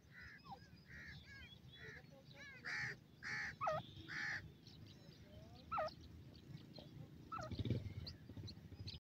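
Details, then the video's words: Female black francolin playing with chicks; a run of short nasal notes, several louder buzzy bursts, and scattered downslurred whistles, over a low steady rumble. "female teetar bachon k sath khail rehe ha,francolin female baby playing"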